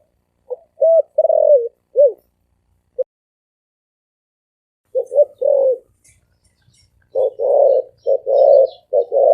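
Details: Spotted dove in fast thổ ồm vang cooing. Clusters of deep, mellow coos come in bursts of two to four notes, with a silent gap mid-way, and faint high ticks in the background.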